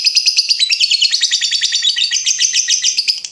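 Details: Long ngekek trill from a lovebird, a song used as a teaching recording for other lovebirds: very rapid, high, scratchy chatter with uneven pulses, continuous from start to finish.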